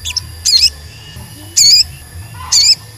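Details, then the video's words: Sogon bird singing, a lure to provoke wild or caged sogon into song; three loud, harsh, wavering whistled bursts about one second apart, with soft chirps between and a faint low hum behind. "Pancingan Sogon Agar Bunyi dan Emosi, Sogon Bahan Auto Nyaut dan Cepet Rajin Bunyi"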